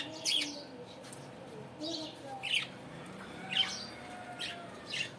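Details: Budgerigars in the morning make sharp, scratchy chirps roughly every second, separated by softer warbling and a low background murmur.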